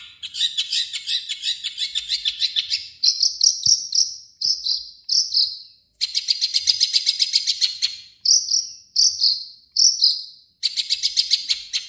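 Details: Long-tailed shrike song woven with imitations of other birds: long, fast, insect-like rattling trills alternate with short bursts of clear, repeated high whistles, in several separate phrases with brief gaps.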